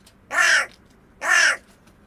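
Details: Hooded crow (Corvus cornix) recorded in the wild: two harsh, hoarse caws about a second apart, each lasting roughly a third of a second with a slight downward slide, over a quiet background.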